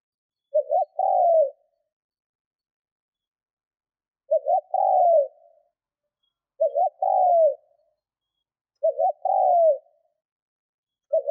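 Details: Decoy spotted dove coos to lure wild doves during training; four full phrases spaced two to four seconds apart, each a brisk two-note pickup and a longer downward-sliding mellow coo, a fifth beginning at the end; clean, silent background.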